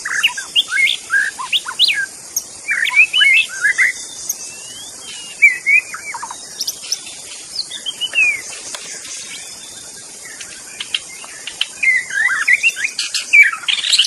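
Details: Forest magpie-robin, wild, delivering bursts of sharp whistles and chattering notes repeated over fourteen seconds, backed by continuous high-pitched insect noise.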